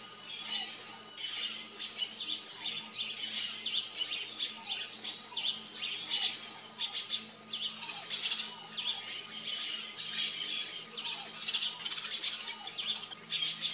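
Variable oriole giving a dense, rapid run of high chirps and chattering notes, with a faint steady whine in the background.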